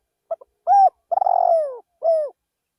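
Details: Spotted dove decoy bird calling in a rice field: two quick low notes, a clipped coo, a long purring coo that slides downward, then a final short falling coo. Clean, with no other sounds.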